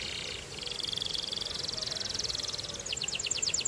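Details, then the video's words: Belgian canary singing: a buzzy high trill, a brief pause, then a long even rapid trill that breaks into a series of fast, sharply descending whistled notes near the end. "Belgian Canary Singing"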